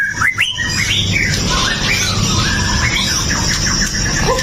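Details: White-rumped shama of the Pastol type, a fierce fighter, recorded on a Xiaomi Note 8 Pro to provoke other males into singing: sharp rising and falling whistles around mid-high pitch, with quick slurred notes and steady background hiss.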